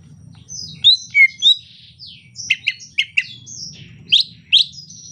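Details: Lively twittering from a greater green leafbird in soft 'ocehan lemas' rainy-season song, mixing thin high whistles, slurred sweeps and dense quick chips in a tumbling jumble.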